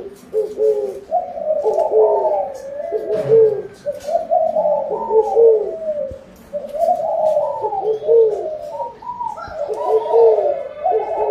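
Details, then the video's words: Overlapping spotted dove coos, said to call for a plentiful harvest, come in grouped phrases of soft, mellow notes every two to three seconds, with short lulls between the bursts. "Tiếng chim cu gáy gọi no, mùa màng bội thu"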